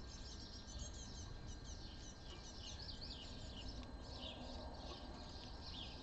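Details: Great tit brood (young great tits) at a feeding basket in a feeder house, end of May 2022, keeping up a steady stream of thin, high chirps and squeaky calls over a constant low rumble.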